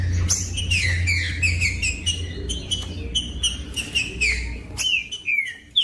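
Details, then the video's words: Green-winged saltator singing, a recording used to warm up and stimulate cold captive birds: loud whistled notes slurring downward, repeated about twice a second, with sharp clicks and a steady low hum beneath. "COM TRINCA FERRO CANTANDO O MELHOR VÌDEO PARA ESQUENTAR TRINCA FERRO"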